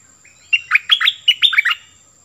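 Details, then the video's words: Cream-vented bulbul decoy bird singing in full voice: a rapid, bubbling run of liquid, up-and-down warbled notes, about seven in quick succession, clear and loud against a quiet background. "Burung merbah lekir gacorbahanan"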